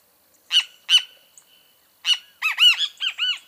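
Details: Great kiskadee, or bem-te-vi: two harsh, clipped notes, a short pause, then a quick burst of loud, strident notes. Several of them arch up and down like bright rounded whistles. The background is clean and quiet.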